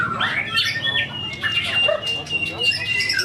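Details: Tame caged white-rumped shama at a song contest, main ticket class 16G, pouring out imitated fill-in phrases: rapid bright whistles and sweeping slurred notes, then a sustained level whistle, among other competing birds.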